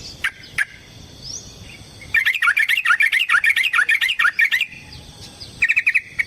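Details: Yellow-vented bulbul giving a long fighting song meant to provoke another bird. After two quiet seconds, a rapid burst of bubbly, warbled notes runs for about two and a half seconds, then a short tail of quick chirps. Sharp clicks and faint rising whistles occur.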